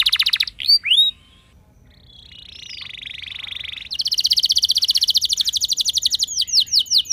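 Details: Canary lure song meant to set other canaries singing in a rolling style: fast high trills and upswept notes, a pause, then a flat buzzy sustained tone, then a long rapid rolling trill ending in curved whistles.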